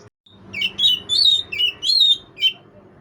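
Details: Magpie-robin chirping to lure an opponent: five bursts of sharp, high, warbled chirps in quick succession, each slurring up and down, over a faint low indoor hum.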